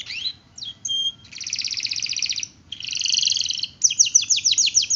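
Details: Canary singing in a long roll style: a few sliding whistles, then sustained buzzy rolls of rapid, evenly pulsed notes, ending in a series of quick downward-sweeping chirps.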